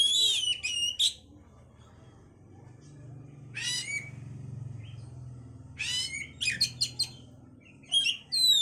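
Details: Oriental magpie-robin song meant to bring on breeding condition: brief clusters of varied whistles and harsh buzzy notes separated by quiet stretches, with a low hum in the background.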